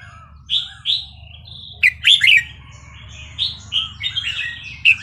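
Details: Red-whiskered bulbul singing in the Burmese style (เพลงถิ่นพม่า), used for training young birds. Clear slurred whistles answered by a loud cluster of warbled notes, then more scattered phrases over low hum.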